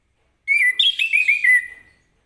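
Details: Orange-headed thrush singing in the morning in ngeplong style, meant to get other birds to answer; one clear whistled phrase of slurred notes near one pitch, falling slightly and fading at the end.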